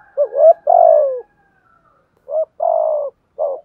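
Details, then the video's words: Spotted dove kept as a decoy bird, with a 'giọng thổ' voice style, calling in earnest: a short low coo followed by a longer, slightly falling coo, the two-note phrase given twice with a pause between, in a quiet background. "chim cu moi thúc gù bài bản"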